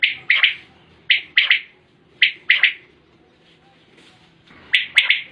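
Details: Repeated triple calls of a common quail, short liquid notes in groups of three at irregular gaps of about a second, loud and close, with faint clicks near the end.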